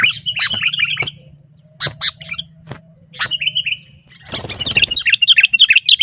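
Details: Wild sooty-headed bulbul in Lubuklinggau city, singing aggressively at a rival: bright chirpy phrases around mid-high pitch in bursts, then a rapid run of chattering notes, over a low steady hum and a noisy rustle.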